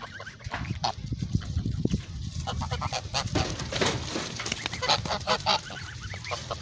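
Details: Geese kept on a goose farm make a loud clamour of nasal honks, dense overlapping calls swelling and fading, with thumping low noise underneath.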